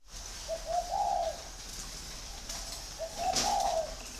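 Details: Caged male spotted dove of large build, kept six years, northern type with red eyes, singing in the giọng thổ style: two deep, hollow coo phrases about two and a half seconds apart, each rising slightly then falling away.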